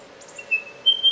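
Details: Spotted pardalote near a sea eagle nest in Australia, known as the headache bird for its endlessly repeated little call; two high, thin, piping whistled notes, the second slightly higher.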